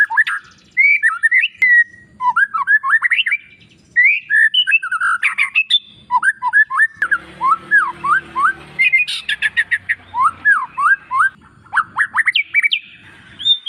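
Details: Oriental magpie-robin master song meant to make silent or male birds sing excitedly: a long, varied medley of slurred whistles and quick downward notes, with a rough, noisy passage in the middle and faint background rustle.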